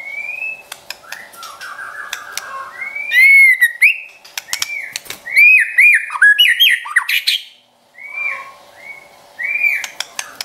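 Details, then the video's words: White-rumped shama champion in trotol song, used to excite pet shamas: ringing whistled phrases, slurred rising notes and brief rattling runs, repeated with short gaps and scattered clicks. "Trotol Murai Juara & Pancingan Ampuh Bikin Cepat Emosi & Tambah Gacor #SHAMA #SINGING"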